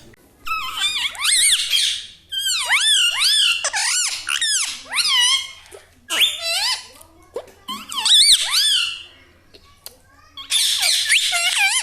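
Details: Talking parrot kept as a pet: a run of high, squeaky mimicked words in quick bursts, each syllable swooping up and down, with brief silences between phrases.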